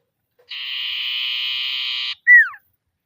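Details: Common iora giving its ngetir rival call, played as a lure to make other ioras sing. An even, raspy trill runs about one and a half seconds, then a quick descending whistle follows. Quiet background.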